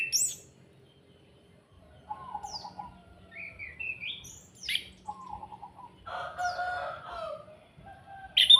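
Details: Kretekan-style singing of an orange-headed thrush, used as a lure to stir other birds into song; scattered phrases of quick trills, high squeaky slurs and a harsh scratchy burst, separated by pauses, over faint background hum.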